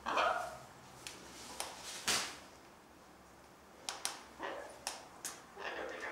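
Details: A cockatoo family calling: harsh, raspy squawks, with a louder screech near the start and another after two seconds, then shorter clipped calls spaced irregularly.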